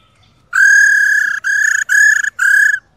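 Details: A female laughingthrush (khướu mái) utters 'rò rò' calls meant to make a male sing hard. There are four long, harsh, level notes in quick succession, each rich in overtones and separated by brief breaks.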